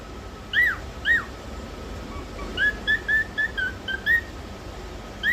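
A cockatiel gives two arched whistles, then a quick run of short whistled notes.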